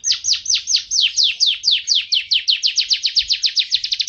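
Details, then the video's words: Canary song, recorded as training material for pet songbirds. Clear downslurred notes are repeated about four times a second, getting quicker and shorter toward the end, with no other sounds. "Suara Burung Kenari"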